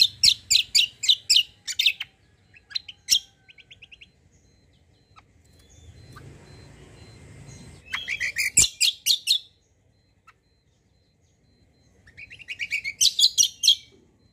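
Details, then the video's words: White-eye known as kecial kombo, singing a lure meant to make other birds respond. Rapid series of high chirps come in bursts, separated by quiet stretches with faint background noise. "KECIAL KOMBO BAHAN LANGSUNG NYAUT || PANCINGAN CUCAK KOMBO"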